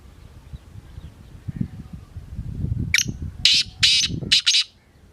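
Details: A black francolin's grating call: a rising first note followed by three loud, scratchy, high-pitched bursts, preceded by low bumping and rustling sounds.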